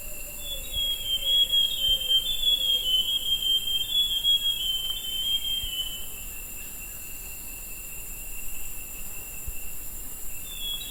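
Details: Forest scrub robin singing, recorded 20 August: a long, varied run of high whistled notes that waver up and down, over a steady shrill insect drone and a faint low descending tone.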